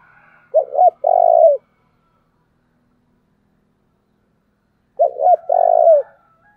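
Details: Thúc call of a decoy spotted dove used to provoke wild birds. Two clean phrases roughly four seconds apart, each opening with two brief coos and ending in a long, burry, level coo. Silence between them.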